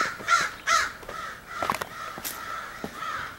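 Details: Crows of a big family flock, possibly selecting mates, 4 April 2015; two strong, close caws open, followed by fainter overlapping cawing and a few clicks.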